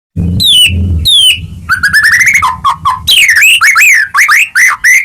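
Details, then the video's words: Energetic White-rumped shama song used as a lure to rouse caged birds that have stopped singing: loud clear whistles sliding down, then a fast run of rising whistled notes and quick looping phrases, with low thumping noise at the start. "Pancingan Murai Batu Macet Bunyi Langsung Gacor Dor"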